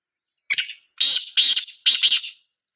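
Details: Black francolin (Sindhi kala teetar) in a village gives its call: a hoarse, scratchy series of four or five loud notes in about two seconds, the final pair run together, with a faint shrill insect drone.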